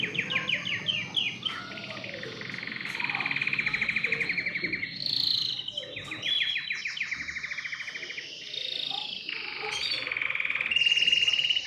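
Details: Singing canary, its song meant to prompt other birds into song: fast rattling trills and rapid repeated notes, shifting from one tour to the next, with bright higher whistles interspersed, steady and loud throughout.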